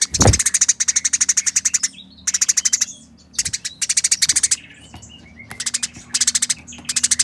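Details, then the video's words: Speedy, rough chattering from fighting Eurasian tree sparrows comes as dense repeated bursts with occasional thin squeaks between them. A low thump opens the sequence. "Burung Gereja Tarung Nyerecet Kasaran Speed Rapat Suara Jernih"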